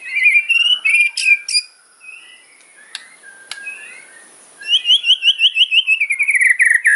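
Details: White-rumped shama singing a loud kretekan fighting song meant to provoke rivals: sharp whistled phrases, a short pause, then a rapid run of crackling repeated notes, roughly three per second, ending in a descending chatter.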